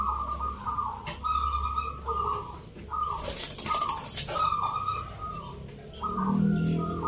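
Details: Local zebra doves competing at a Sunday 19 November song-style contest (Nglagu Ngepat Mentaraman rhythm class) in Jogjakarta. Steady mid-pitched trilled coos repeat in bars with short gaps, over a low rumble and a brief burst of broadband noise.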